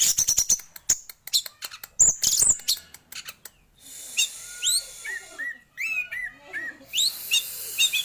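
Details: Rapid high chirps and buzzy bursts from a male orange-headed thrush in full song, shifting after a pause to softer, lower, rising whistled slurs repeated several times.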